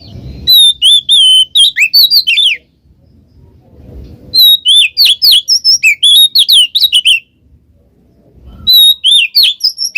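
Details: Singing Oriental magpie-robin (kacer), ngeplong ngekek style, used to lure a lazy bird into song: three bursts of quick, bright whistles and chattering slurs, separated by pauses of quiet low background noise.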